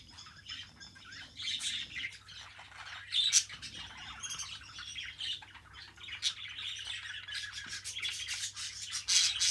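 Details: Pet budgerigar in a long, rambling warble of soft squeaks and scratchy chirps, building toward the end into faster clicking, rasping notes, with a steady low hum underneath.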